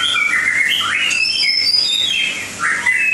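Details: Melodious song of a white-rumped shama in Langkawi, with slurred whistles sliding up and down, a few high thin notes, and a brief pause before a final rising phrase.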